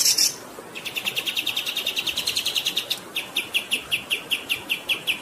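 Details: Songbird for master training delivers a long rolling series of quick high chirped notes, about two and a half per second, after a short harsh opening burst, over a background of running water.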